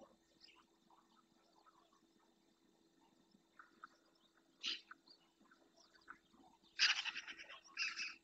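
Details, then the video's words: Eurasian magpies in a small flock in the marsh of Doñana National Park, Spain, feeding on invertebrates, filmed by a fixed live camera; harsh, rasping broadband bursts, a single one then a rapid rattling series near the end, over faint distant birdsong. "URRACAS - Parque Nacional de Doñana (marisma); España"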